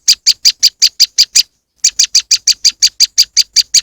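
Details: Moss wren song used as a lure: a fast string of loud, sharp, buzzy chips, about six per second, broken by one short pause midway, then resuming at the same steady pace.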